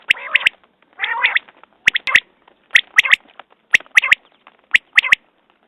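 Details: A common quail repeats its clipped three-note call roughly once per second. A harsh, wavering rasp from a bird opens the sequence.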